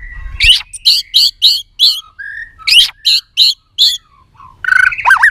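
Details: Female white-rumped shama voice used to stir up males for fighting; bursts of rapid, loud clicking chip notes in two series, a brief whistled note between, then a warbled rising phrase at the end.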